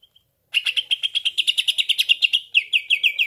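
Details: Green leafbird trapping lure: a fast, even trill of bright chirps holding one pitch, shifting near the end into quicker downslurred whistles, clean and loud.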